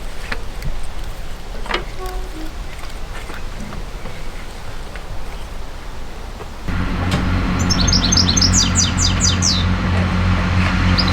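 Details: Small bird singing live from a hedge beside a canal, recorded close by from a narrowboat: after a steady low engine rumble starts, one quick descending run of bright, rapid notes, then a faint high note near the end.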